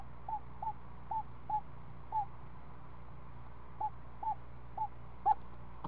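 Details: Screech owl nest with a seven-day-old owlet at feeding time, a snake on the menu. Brief hooked notes come in loose, uneven runs with gaps, and end in one louder note.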